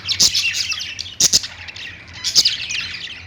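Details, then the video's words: Pet budgies chirp and warble on a perch, loud bright bursts recurring about once a second between softer twittering. "budgies sounds | love birds sounds | budgies singing on perch"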